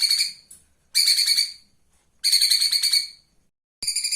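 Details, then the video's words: Flowerpecker from a live-bird master for teaching cage birds: high, buzzy pulsed trills of varying length, one lasting about a second, separated by quiet gaps, ending with a sharp click and a new burst. "SALAH SATU MASTERAN KONIN MEWAH, Masteran burung hidup"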